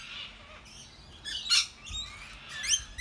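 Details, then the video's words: Australian rainbow lorikeets feeding together in loud conversation give harsh, grating screeches in two loud bursts about a second apart, with thin high chatter from other birds in between. "RAINBOW LORIKEETS having a LOUD Picnic!"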